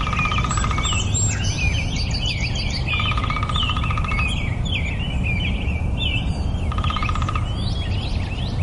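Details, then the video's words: Nightingale song: quick varied chirps and whistled phrases, with bursts of a steady pulsed trill at mid pitch, over a constant low rumbling background noise. "2 minute of Nightingale - Relaxing Bird Sounds"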